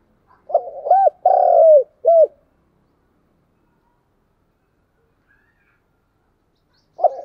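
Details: Spotted dove calling to lure and rouse wild doves: one mellow cooing phrase of rolling notes, a drawn-out croo and a short closing coo, followed by long silence and the start of another phrase.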